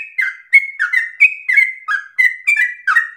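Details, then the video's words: Short burst of yellow-vented bulbul song, a lure meant to set other bulbuls singing rapidly with long breath: eight or so quick, bright chirps, each gliding downward, in close sequence. "PANCINGAN TERBAIK agar trucukan menjadi gacor ropel nafas panjang"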